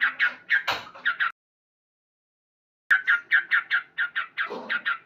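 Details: Loud morning song of a male sooty-headed bulbul: choppy repeated 'cuk cuk' notes, a short burst, then about a second and a half of silence before the rapid notes resume.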